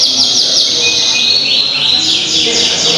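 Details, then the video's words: Contest canaries singing together at Auditorium Linggarjati, Kuningan, 11 June 2023: bright, high-pitched rolling trills and quick repeated chirps layered thickly over one another, with soft hall murmur beneath. "WONDERFULL CANARY KUNINGAN 2023"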